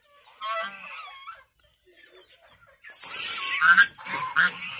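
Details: White domestic goose gives a brief nasal honk, then after a pause a louder burst of harsh, rasping honks with a hissy edge.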